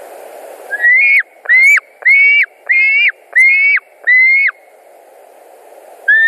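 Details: At a white-tailed eagle nest in Latvia, 10 August 2019, afternoon, six loud whistled notes come in a steady run, each rising and then dropping abruptly, followed by a short silence and a new note.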